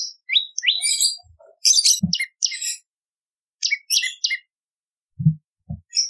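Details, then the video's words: Bar-winged prinia singing for a training and lure recording, giving varied bursts of high chirps and buzzy notes separated by short silences, with a few dull low thumps in between. "Masteran Prenjak Lumut ! Variasi Suara For Murai C Ijo Cungko / Pancingan Prenjak Gacor /Suara Pikat"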